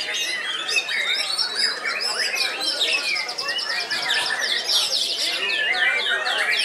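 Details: A caged white-rumped shama, 15 years old and still singing hard, pours out fast, busy song: high sweeping whistles, buzzy notes and repeated downward chirps near the end, with faint voices beneath.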